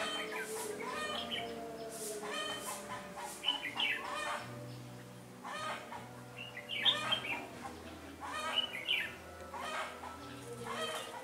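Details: Red-whiskered bulbul decoy singing a fighting song at a trap on 13 January 2017, facing a wary wild rival; short whistled phrases burst out about every second and a half over steady background noise.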